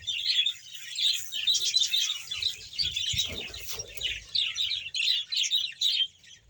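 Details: Bahawalpur budgerigars, a colony of about 100 pairs, twittering and warbling continuously in overlapping high phrases, with a short knock near the middle.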